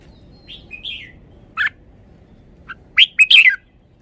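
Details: A red-whiskered bulbul in a cage shows its song phrases: two soft, wavering whistles, an abrupt loud note, a faint chip, then a closing volley of loud, rich, bubbling whistled notes.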